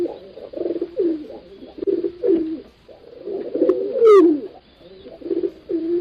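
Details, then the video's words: Indoor pigeons give low, throaty coos in uneven bursts about every two seconds, with a louder swelling coo and a short high squeak near the middle, then softer cooing. "Tiếng Chim Bồ Câu Hót"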